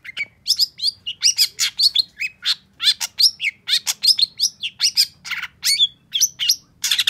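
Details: A long-tailed shrike, stirred up and reacting quickly to a rival, pours out a fast, steady string of sharp chirps and rising whistles, roughly evenly spaced, in a training recording for songbirds.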